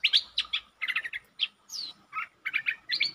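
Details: Streak-eared bulbul song, with long and doubled song styles, used as a lure sound, 13 February 2023; short clusters of bright chirps, one rising-then-falling slurred whistle, with a faint background hiss.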